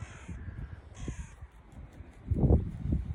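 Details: Crows gathering on the Baltic Sea shore at Liepaja, Latvia: two short, hoarse caws near the start, followed by a louder burst of wind and footsteps on the sand.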